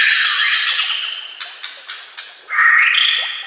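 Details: Song of a white-rumped shama for training caged birds: a long, harsh, buzzy note, several sharp clicks, then a loud rising whistled phrase.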